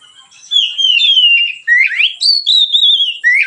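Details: Oriental magpie-robin singing relaxed and open as a lure for other birds: a continuous run of loud, clear whistles that glide down, sweep up steeply, then hold high and steady before falling again.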